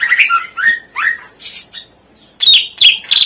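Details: Greater green leafbird in full song, played to coax silent birds into singing: several loud swooping, slurred phrases with rising and falling whistles, a brief pause, then higher, strident whistled notes in quick succession.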